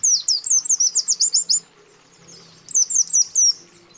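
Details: Calling male and female white-eyes challenging a rival: a fast string of about eight high, downward-sweeping chirps, a short silence, then another run of four or five.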